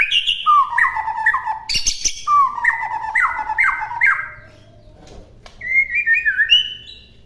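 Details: Melodious whistled notes from a white-rumped shama in a master recording, with stepped, falling phrases and a harsh burst, then a short lull before a final rising whistle.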